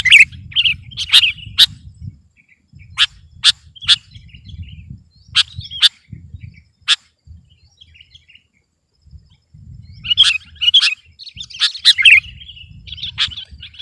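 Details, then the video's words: A kutilang, or sooty-headed bulbul, in steady challenge song: scattered sharp chirps and warbled phrases, a quiet stretch midway, then a dense burst of bubbly twittering notes, with a low murmur of background noise. "Suara burung kutilang gacor || menekan lawan 100%"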